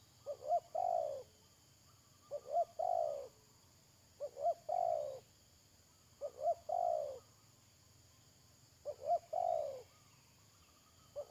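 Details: Spotted dove used as a decoy to lure wild doves for trapping, recorded at the end of May 2022: a short stuttered pair of notes, then a longer falling mellow coo, repeated about every two and a half seconds over a steady faint hum.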